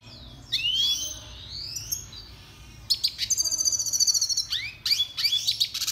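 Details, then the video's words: Red siskin song for song training: thin high whistled slurs and rapid buzzy twittering trills, with pauses between phrases. "Canto Pintassilgo venezuelano - Red Siskin The BEST Song Training"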